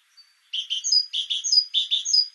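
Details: Repeated phrases from a Great tit (Parus major), each a low rough note then two sharp high whistles, delivered steadily without pause.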